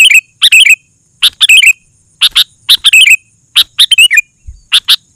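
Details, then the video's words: Excited sooty-headed bulbul ('gacor') for luring other bulbuls: clusters of sharp chips run straight into short chattering whistled phrases, repeated in quick bursts throughout. "Suara Burung KUTILANG GACOR, 100% Ampuh Bikin Burung Kutilang Lain Emosi dan Ikut Gacor"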